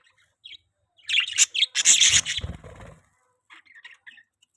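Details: Pet budgerigar gives a few chirps before a loud, dense burst of scratchy chatter mixed with low rumbling, then resumes quiet twittering.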